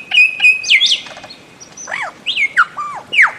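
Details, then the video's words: Bird-of-paradise calling with loud whistled notes, first held steady, then a series of downward-swooping and arched slurred whistles spaced about half a second apart, with faint chirps of other birds behind. "Bird of Paradise Calling Sound"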